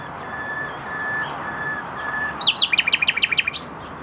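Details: Common nightingale singing in a garden in Tokat: several long, pure, level whistled notes at a steady pitch, then a rapid burst of about a dozen sharp, downslurred notes. Faint background hiss throughout.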